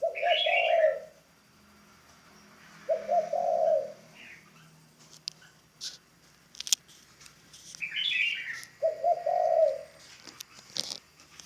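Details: Spotted dove kept as a ground decoy bird and newly in training gives three low, hoarse coos spaced about three to six seconds apart, with brief higher chirps from another bird and faint clicks between them.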